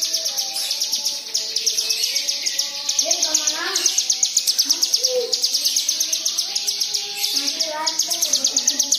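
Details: Lure song of a white-eye for triggering other white-eyes to sing: sustained fast, high chirping in long runs, with a few lower rising and falling whistles mixed in.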